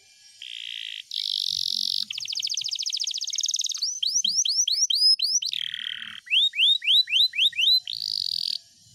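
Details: Canary in energetic song with long rolls: short buzzy bursts, then a rapid high trill, runs of upward-sweeping whistled notes repeated several times, a lower buzzy roll, and a final high buzz.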